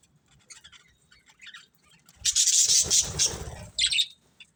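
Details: Budgies chirping softly at first, then a loud sustained harsh squawking chatter with rumbling background noise, ending in one more sharp squawk.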